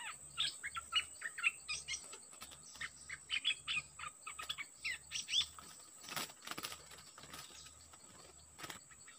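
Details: Dok Taeng bird used as a decoy beside a very aggressive wild-caught bird. Quick bursts of short chirps and twitters come in clusters over the first half, then sharp clicks and rustles follow, with a steady high electronic whine throughout.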